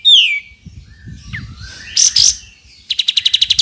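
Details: Cotton pygmy goose recording used as tutor audio for training birds: a high falling whistle, a harsh double burst, then a quick staccato run of about nine clipped notes. Faint low background rumble.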